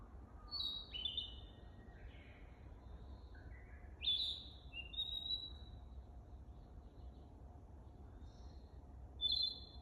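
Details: Narcissus flycatcher still learning its song at Teganuma, 12 May 2023: three bursts of bright whistled notes, some sliding down, some rising in steps, separated by pauses of several seconds, with quiet low background rumble.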